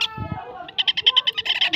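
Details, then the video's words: Baby parakeet giving a fast series of sharp, high, buzzy chirps, about ten pulses in under a second, after a brief low rustle. "ছোট বাচ্চা টিয়া পাখি"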